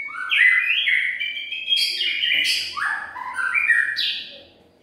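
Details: White-rumped shama lure song: loud, rich whistled phrases that slide and step between low and high notes, overlapping in a continuous flowing run before fading away at the end.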